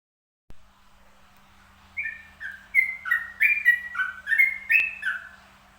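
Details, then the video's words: Zebra dove singing in trucukan style; a quick staccato run of bright, clipped cooing notes stepping up and down, about ten notes in under four seconds, over a faint steady hum. "burung Perkutut Trucukan berbunyi"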